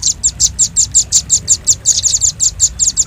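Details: High, piercing chips from a velvet-fronted nuthatch, used to lure birds, repeated steadily about five times a second, some doubled, above faint low background noise.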